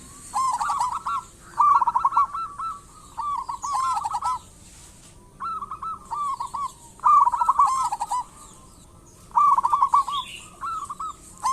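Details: Lively local zebra dove song, used as a lure to draw other doves into singing: many bubbling, stuttering coo phrases in bursts every one to two seconds, with an occasional faint high chirp.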